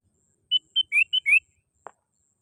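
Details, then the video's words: Sooty-headed bulbul call used as a lure for attracting birds: five clear whistled notes in quick succession, the later ones slurring upward, followed by a brief soft low thud. "SUARA PANGGILAN BURUNG KUTILANG GACOR"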